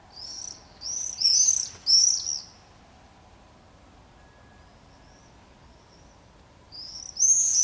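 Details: Common swifts in screaming parties over a street in Beek-Ubbergen, the Netherlands, on 22 July 2012, with pairs nesting at a house: shrill, buzzy, high screams in bursts of about a second, with a faint low hum.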